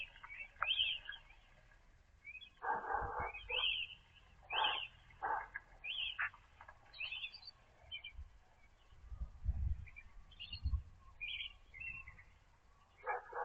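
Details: European robin singing in the early morning near a feeder. Thin, high twittering phrases come in short bursts, mixed with lower, harsher chirping notes and a soft low rumble in the background.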